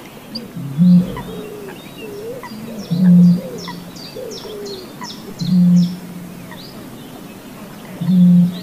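Deep, hollow foghorn booms from a Eurasian bittern, one roughly every two and a half seconds, while small birds twitter and chirp higher up.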